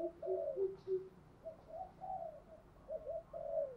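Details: Spotted dove decoy voice for luring wild doves in windy, rainy weather, 'thổ sấm' style: short low coos merge into longer wavering phrases that slide slightly downward, repeated irregularly, somewhat muffled against a hissing background.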